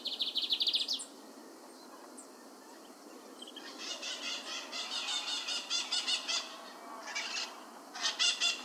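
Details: Lined seedeater in the wild, singing a lot while feeding on brachiaria grass seeds: rapid series of bright, high trilled notes in pulsed bursts, a buzzy phrase near the start and another burst at the end, over steady hiss.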